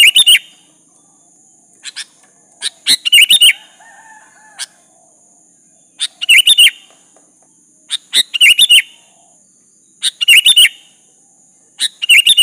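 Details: Busy sooty-headed bulbul song aimed at drawing an answer from a rival; bubbly multi-note phrases and scattered single chirps come thick and fast, with a constant high whine behind.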